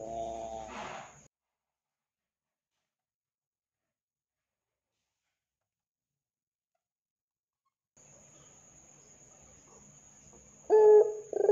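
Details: A Barbary dove gives a low, hollow coo, then falls silent for several seconds before a second short, resonant coo phrase near the end.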